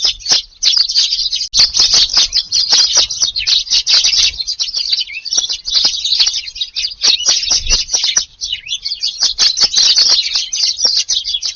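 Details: A busy group of tree sparrows visiting a Japanese garden for breakfast at about 5:30 a.m., rainy, 2 August; loud continuous chorus of high chirps and twitters throughout.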